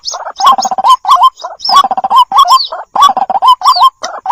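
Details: Young white-breasted waterhens calling for their mother, lure recording: clustered rattling trills and rising, hooked notes in quick groups, with high, downslurred squeals above and short pauses between bursts.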